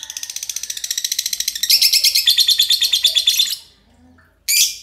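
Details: Long ngekek chatter from a pair of green lovebirds: quick, evenly pulsed shrill notes that swell louder and denser, ending abruptly, then a short pause and one more harsh burst.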